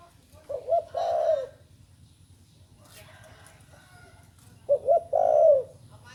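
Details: Juvenile spotted dove practising its call gives two cooing phrases. Each is a pair of short notes leading into a long falling coo, with a few seconds of quiet between them and faint rustling noises.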